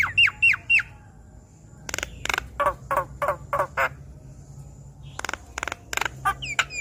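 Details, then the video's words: Javan myna, a stressed bird given song therapy to sing in full voice with mimicked fill-ins: a few sharp whistled slurs, then a run of loud harsh rasping notes repeated about four per second, followed by more broken rasps and whistles. "Terapi Jalak Kebo Stres Agar Cepat Gacor Dengan Kicauan Jalak Kebo Makun gacor Bongkar Isian"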